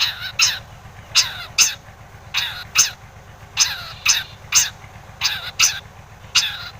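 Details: Long-tailed shrike singing as a lure to draw replies from other shrikes: rough, rasping broadband notes, often in pairs, repeated roughly every half second to second, with a faint low hum beneath.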